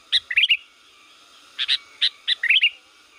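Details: Sooty-headed bulbul from Liwa, recorded as a lure call: scattered loud, crisp chirps in small clusters, with a short twittered flourish at the start and the end and a silent gap between.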